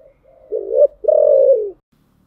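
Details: Spotted dove singing giọng thổ style: a low warbled coo followed by a long, steady, slightly falling note, clear and close with no other sound.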